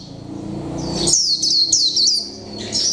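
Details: After a low rumble of background noise, a caged mộc tinh Japanese white-eye, one month in captivity, breaks into a short high warbled burst of thin descending twitters in its "líu pha chòe trống" style.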